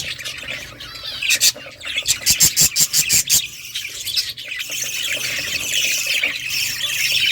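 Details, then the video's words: Budgie song with a quick run of evenly spaced sharp chirps early on, then a hissy, wavering warble filling the rest. "budgies singing"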